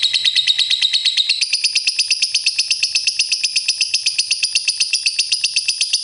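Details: Lovebird delivering a ngekek trill, a sustained run of fast, shrill, rasping notes repeated steadily, nearly three each second, shifting slightly higher in tone partway through.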